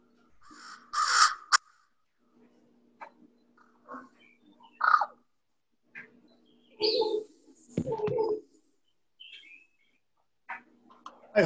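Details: American crow (Corvus brachyrhynchos) gives a varied series of harsh caws and softer, throaty croaks and rattles in irregular bursts with quiet pauses; communication among crows, not territorial song.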